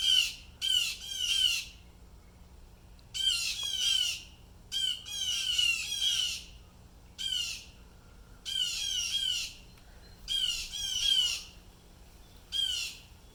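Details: Agitated blue jays giving repeated harsh jeer calls, seemingly alarmed by something unseen; rasping, buzzy notes in quick doubles and triples, a steady barrage over thirteen seconds with brief pauses.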